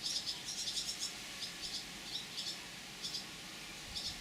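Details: Young swallows just out of the nest wait hungry in a linden tree crown for parents to feed them, Dugo Selo, Croatia, 2017: high, sharp chirps in quick clustered bursts, about one every second, over faint broad hiss.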